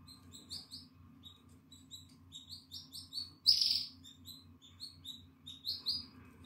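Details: A 9-day-old Atlantic canary chick, recorded on 14 April 2022 with its eyes open and feathers coming in, gives rapid, high, thin cheeping begging calls in quick bursts, with one louder hissy burst, over a low hum.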